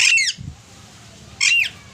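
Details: Alexandrine parakeet giving natural calls: two loud, harsh, harmonic-rich squawks about a second apart, each roughly a third of a second long, with quiet room noise between.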